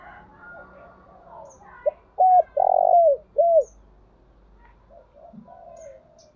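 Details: Spotted dove used as a decoy, giving a loud run of four low, hollow, arched coos in quick succession, with faint softer cooing before and after.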